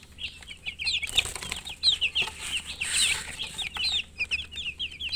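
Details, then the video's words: Baby chicken chicks chirping: many thin, high peeping notes in quick, overlapping bursts, along with soft flapping and rustling. "Baby "Chicks Chirping" Sound"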